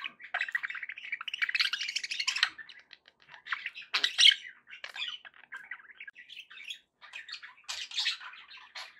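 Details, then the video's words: Happy budgerigar warbling from pet budgies: a steady, buzzy, chattering warble running almost without pause, with a few louder sharp chirps mixed in. "happy budgie sounds"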